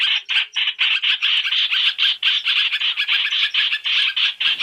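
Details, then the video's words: Three-in-one lure recording of masked laughingthrush for bird trapping: separate harsh, rasping bursts, around four a second, in a steady, regular rattle. "Tiếng chim hoành hoạch (trao trảo) mồi 3 trong 1 chuẩn để bẫy"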